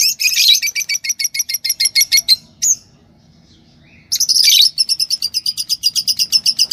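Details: A yellow pair of Fischer's lovebirds singing and chirping: fast trains of high, shrill chirps repeated several times a second, a pause of over a second, then another long, steady burst of rapid chirping.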